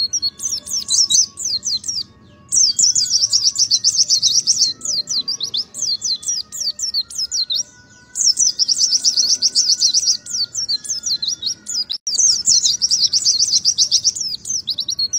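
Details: Pleci, the Oriental white-eye, delivers 'nembak ngalas' song: long bursts of very high, rapid twittering and warbled trills, pausing briefly between phrases, with a faint steady tone in the background.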